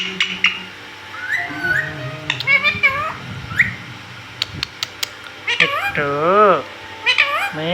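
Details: Green pet parrot talking indoors, producing wavering, up-and-down harmonic syllables and sharp clicks, with a long undulating phrase near the end; a person's low voice is heard early on.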